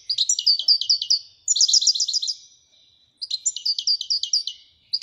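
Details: European goldfinch, called royal goldfinch, singing in three bursts of fast, liquid twittering trills separated by short pauses.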